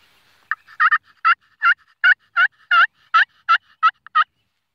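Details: Wild turkey calling in a steady series of about twelve short, harsh, mid-pitched yelps, roughly three each second, in an otherwise quiet setting.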